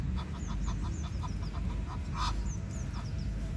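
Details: Chatty male Egyptian goose, one of a pair met in a park, giving a quick series of short, harsh, repeated calls that ends in one louder burst; faint small-bird chirps and low rumble behind.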